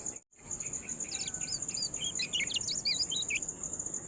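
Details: Yellow-bellied prinia, local name kecial kuning, in a ciak recording for tutoring kept birds: a fast, busy string of high slurred and hooked chirps lasting about three seconds, over a continuous piercing insect drone.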